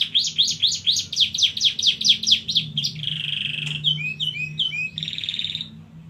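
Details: Long rolling canary song: fast regular arched notes repeated several times a second, then a steady buzzy trill, a few looping upswept notes and another held trill, with faint low hum beneath.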